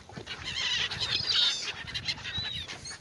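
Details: Gulls crowd over bread thrown on the Oder river in Frankfurt (Oder), Germany, a loud chorus of high, harsh squealing calls from many birds, peaking mid-way then thinning out.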